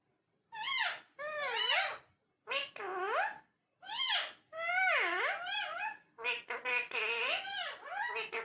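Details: Talking parrot indoors giving a string of speech-like, strongly harmonic vocalisations with swooping rises and falls, in bursts separated by short silences.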